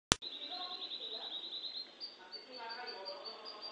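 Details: Canary of the F2 type, a lively singing bird, giving a long fast trill of rapid notes near one pitch, then shifting to higher chirped phrases with softer warbling underneath; a sharp click opens the recording.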